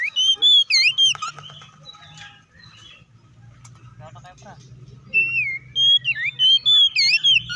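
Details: Oriental magpie-robin song in fierce 'ngeplong' fighting style, used to draw other magpie-robins into song. Rich whistles and zigzag notes at first, a softer stretch of chatter, then strong swooping whistles return. Low hum throughout.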